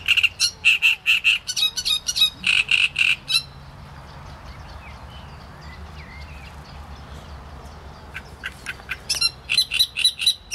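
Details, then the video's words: Great reed warbler delivering bursts of loud, harsh, repetitive syllables about four per second. A pause of several seconds follows, with only faint background birds, before the grating song resumes. "Trzciniak i jego śpiew"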